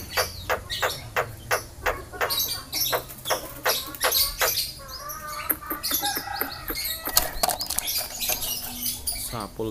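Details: Yellow-eyed Javan myna that imitates people talking and coughing; a rapid string of clicky, harsh notes nearly three per second, growing denser and more chattering in the second half.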